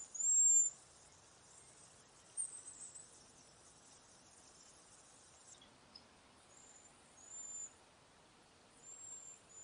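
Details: Cedar waxwings in a backyard flock, passing berries and insects: a few very high, thin, hissing whistles, short and scattered, over faint steady background hiss.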